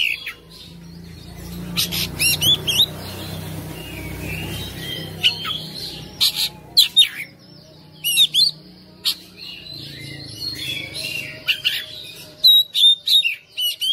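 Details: Captive house-kept Oriental magpie-robin singing persistently in fighter style, showing off its learned phrases: sharp high chirps and short whistled notes in scattered bursts, with a low rumbling background during the first half.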